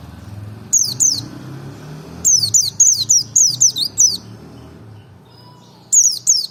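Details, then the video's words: White-eye of the Merapi type giving a double ngalas provocation song: short pairs and a longer run of shrill downward-slurred whistles, a quiet stretch, then two more notes, with low rumbling behind. "pancing emosi pleci merapi ngalas dobel buka paruh 100℅ ikut bunyi"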